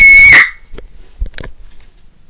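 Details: Loud, piercing macaw scream from a pet bird, a single steady shrill note lasting about half a second and cutting off abruptly, followed by faint clicks and a quiet room.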